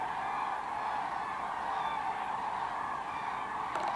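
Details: Large gathering of common cranes, 24,000 at Kvismaren, descending to roost in the wetland; continuous massed trumpeting calls, ending with a short rustle of handling noise.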